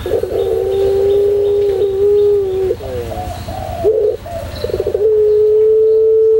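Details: Pelung-style song of a white puter dove, used as a training recording: a sustained low coo held over two seconds, then quavering slides and a buzzy stuttered burst before another long even coo, over a low background hum.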